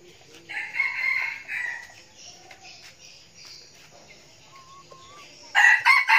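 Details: Red junglefowl decoy bird from Bình Phước, Vietnam, noted as a frequent crower: a harsh, broken crow lasting just over a second, then a calm spell with soft chirps, ending with the loud, raspy start of another crow.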